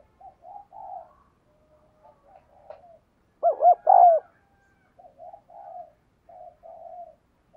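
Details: Spotted dove kept as a decoy, giving urging "thúc gù" coos meant to spur other birds to call. Soft, low coos run throughout, broken by one loud burst of several short notes in the middle.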